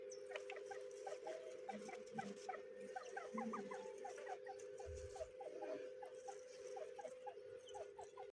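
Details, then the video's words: Young grey francolins peeping: rapid little downward chirps repeated throughout, with a steady low hum underneath and a few brief low thuds and rustles partway through. "Dakani Teetar kids | Partridge birds kids | Gery Francolin baby"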